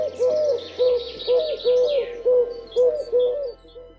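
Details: Eurasian collared dove in the UK giving its monotonous song of soft, low, hollow coos, repeated steadily about twice a second with slight rising inflections. Faint background hiss.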